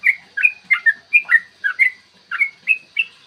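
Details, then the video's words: A yellow-vented bulbul's long 'ropel' song for goading birds to sing and fight: rich, rollicking whistled phrases of quick notes jumping between low and higher pitches, with a short gap midway. "trucukan gacor TARUNG ROPEL PANJANG pancingan trucukan agar BUNYI dan EMOSI"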